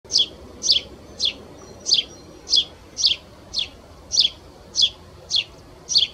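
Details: Spanish sparrow at S'Abufera, said to sound like a tree sparrow. It gives a steady series of high, sharp, downslurred chirps, one about every half second, eleven in all, over quiet low background noise.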